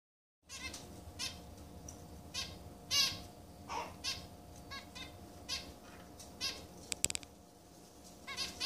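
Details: Caged zebra finch chicks from three pairs sharing one cage, broods aged from newly hatched to 18 days, begging while parents feed them: harsh, buzzy, broadband bursts repeated irregularly about every half second to second, over a steady low hum.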